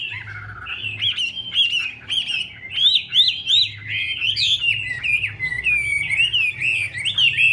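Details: Female Chinese hwamei dancing with fanned wings to spur the male into fiery form: a loud, varied song of rising and falling whistled notes, some in quick repeated zigzags, with a low background hum.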